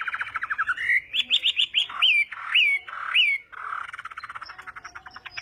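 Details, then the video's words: Chinese hwamei in morning song practice: a quick rattled series, then loud upslurred whistles with falling tails repeated about every half second, closing with a rapid chattering trill. "Hoạ Mi Hót Đấu /hoạ mi hót sáng luyện giọng"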